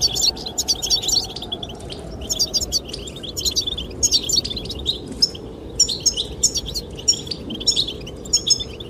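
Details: Rapid, jingling high chirps from goldfinches arrive in regular bursts roughly each second, song meant to attract the female, carried over a persistent backdrop of wind.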